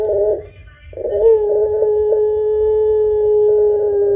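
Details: Vigorous pelung Barbary dove with a long voice and thick coo, used to stimulate other birds; a short burst, a gap, then a loud, pure, unwavering coo held for about three seconds.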